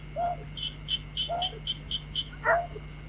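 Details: White-breasted waterhen, played as a night-trapping lure: three short harsh croaks spaced about a second apart, the last loudest, with an even row of high chirps running between them and a constant low hum.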